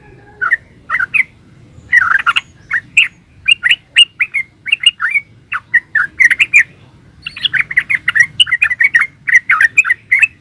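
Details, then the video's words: Yellow-vented bulbul singing nonstop in the 'ropel uplik' manner: a steady stream of rolling, liquid chirps in short clusters, growing denser and faster toward the end. "Suara burung trucukan GACOR ropel uplik"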